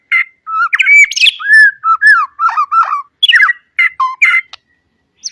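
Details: Loud varied song from a white-rumped shama, recorded to teach young birds: rich slurred whistles, quick downward notes, scratchy high squeaks and short harsh bursts with brief pauses between.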